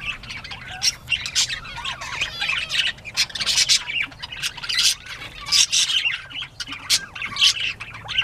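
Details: Bobwhite quail playing in mid-morning, 19 April 2017: harsh squawks and sharp chirps overlap in irregular bursts, with short whistled notes between them and brief scratchy rustles.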